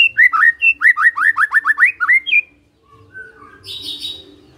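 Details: Magpie-robin (murai) song: a quick series of about a dozen loud, downslurred whistled notes with high clicking overtones, then quieter softer warbles and faint high chatter.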